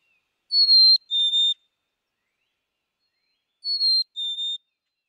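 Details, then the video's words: Black-capped chickadee whistling its clear fee-bee song twice, about three seconds apart, a higher note dropping to a lower, slightly split second note. "Black capped Chickadee - Song & Call"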